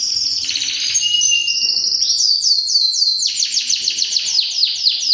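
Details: Three-year-old white male canary sings a fast, bright run of high trills and rolling chirps, changing phrases every second or so with no pause.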